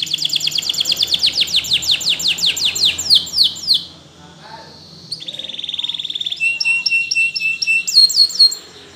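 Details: Training song by a Spanish Timbrado canary: long series of high falling sweeps repeated briskly for four seconds, a short pause, then a steady buzzy trill and flat whistled notes.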